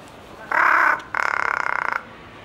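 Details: Large-billed crow at Ueno Zoological Gardens, calling in a variety of voices: a harsh caw of about half a second, then a longer rattling, pulsed caw after a short pause.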